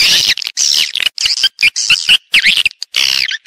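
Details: Swiftlet calling or roosting sound in stereo: scratchy, buzzy bursts mixed with short whistled upslurred notes, in clusters separated by brief silences.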